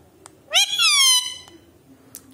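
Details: Pet Alexandrine parakeet, a talking desi parrot, indoors: one harsh, rich screech that bursts upward and then slides steadily downward for about three quarters of a second, in a quiet room.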